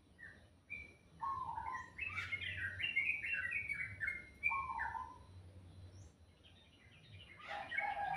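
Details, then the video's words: Morning birdsong: a bird delivers quick series of whistled notes, each phrase sliding downward, repeated in bursts, with a steady low hum in the background. "Suara burung dipagi hari sangat merdu"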